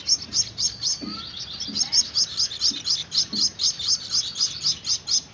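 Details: Gouldian finch chicks learning hand-feeding give a dense run of thin, high chirps, about two to three a second, with faint low clicks in the background.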